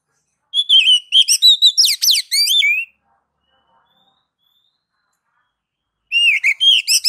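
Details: Ngeplong-style song of an oriental magpie-robin (kacer), played as a base song to coax other kacer into singing. About two seconds of fast varied whistles with steep downward slurs, silence, then another rapid burst of whistled phrases.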